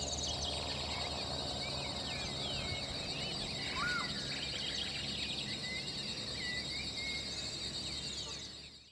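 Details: Fulvous Whistling-Ducks, a flock at San Ignacio, Misiones, Argentina, give many overlapping squeaky, slurred whistles over a steady high insect buzz and hiss.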